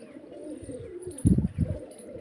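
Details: Pigeons in a loft of mostly males with four or five females give low, throaty coos in two soft bursts about a third of a second apart, over a faint background murmur, in Pakistan.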